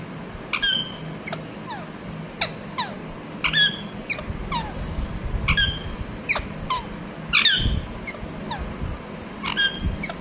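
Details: Parrot chirping as a long run of short, thin chirps and downward flicks, scattered irregularly and fairly soft against a steady low hum.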